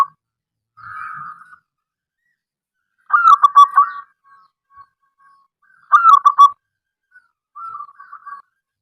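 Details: Frequently calling local wild zebra dove with soft drawn coos between two louder phrases. Each loud phrase opens with stuttering clipped notes and settles into a held mellow note. The phrases come roughly three seconds apart.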